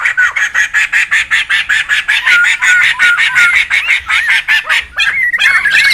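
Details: Wild laughingthrushes in a noisy group, recorded as a lure and tutor sound: a fast, regular train of harsh pulses, about three each second, followed by looping whistled phrases and rising squeals toward the end.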